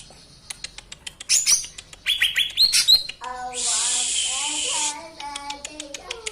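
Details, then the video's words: Songbird song from a master recording used to train cage birds: scattered sharp chirps, rapid high twittering, then a long harsh buzzy rasp over a lower nasal stacked tone, ending in short downslurred notes. "MASTERAN KICAU"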